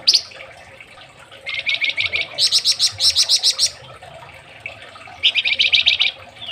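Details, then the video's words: Indonesian flamboyan bird singing on a training master recording: fast, dense strings of high, sharp notes rising to a shriller rapid trill, a pause, then another quick high burst. "BURUNG FLAMBOYAN MASTERAN"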